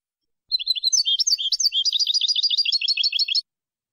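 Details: European goldfinch, clean song from a 2020 recording CD: a high, liquid twitter of varied slurred notes that settles into a fast, evenly repeated trill for about three seconds, with no other sounds.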